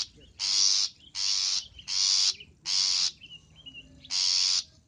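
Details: Loud long-tailed shrike lure call: five strong, grating rasps of about half a second, mostly close together, with faint thin whistles in the pause before the last one.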